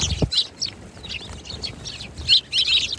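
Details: Sparrows give quick, bright chirps in short clustered bursts, and a brief low thump sounds near the start.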